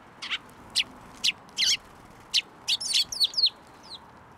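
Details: Sparrows flying onto a hand to be fed at a Tenmangu shrine, recorded 10 June 2024: bright, sharp chirps repeated about every half second, then a quick run of rapid, twittering notes near the end over a quiet background.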